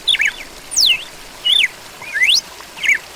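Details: Red-cowled cardinal song of clear, slurred whistled phrases, some rising and some falling, spaced about every half second, over a soft steady hiss.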